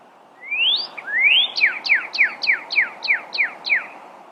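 Pyrrhuloxia: two long rising whistles, then a quick series of eight sharp downslurred chew notes, about four per second, clear and high.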